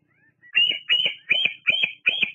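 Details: Evening nest visit by a female bald eagle at Fraser Point, July 17, 2022, preening and perching under a live camera: five loud, harsh high-pitched notes in steady succession, each piping note trailing slightly downward.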